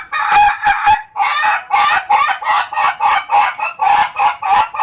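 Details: Ayam Ketawa rooster crowing in a fast laughing series of short harsh syllables, about three per second, each with a bright nasal tone, running steadily through the whole stretch with no other sounds.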